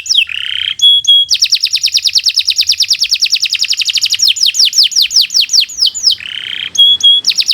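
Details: Canary in long unbroken song for bird training: a short buzzy burst and metallic pips, then a lengthy rapid trill slowing into descending whistles, finishing with another buzz and high pips.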